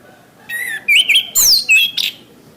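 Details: Orange-headed thrush singing, a recording for training caged birds: a soft whistled intro, then strong rising and falling warbled phrases with high sweeping squeaks, delivered in four loud bursts.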